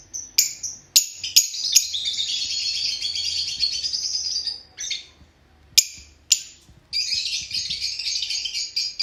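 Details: Fischer's lovebirds giving dense, high, continuous twittering chatter in two long bursts, broken by sharp clicking sounds and a brief lull in the middle.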